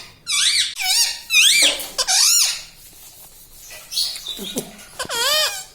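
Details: Pet ringneck parrot talking indoors, a string of loud, bending, speech-like squawks in quick succession with short gaps, then a final wavering phrase.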